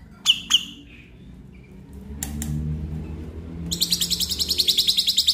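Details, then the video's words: Black-winged myna prompt for a stressed caged bird: two loud isolated clicks, a quiet stretch with faint low background hum, then a rapid high rattling trill of evenly repeated notes. "Pancingan Jalak Putih Stres Malas Bunyi"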